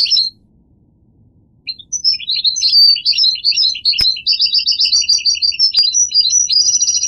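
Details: Goldfinch song: a brief high twitter, a pause, then a long fast run of bright tinkling, twittering notes mixing higher and lower pitches, with two sharp clicks and a faint low hum underneath.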